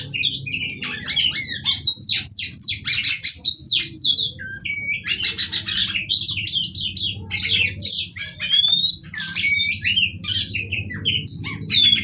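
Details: Female kacer (Oriental magpie-robin) calls used as singing therapy for males: harsh squawky chatter, rapid scratchy trills and occasional sliding whistles run continuously over a noticeable low rumbling hum.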